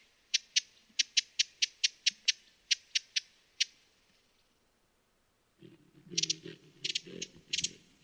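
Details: Quick, dry chip notes from a broad-billed hummingbird for about four seconds, then a silent gap before more chips over low rustling and handling noise.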